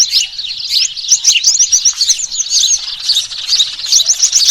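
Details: A noisy lure for catching small birds, dated 3 June 2023, with Eurasian tree sparrows calling: a crowded burst of high, clipped tweets and chirps repeated rapidly by several birds throughout.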